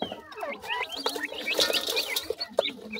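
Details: Grey francolin chicks at a termite feeding: lively overlapping chirps, some dropping and some rising, with sharp clicks and taps mixed in.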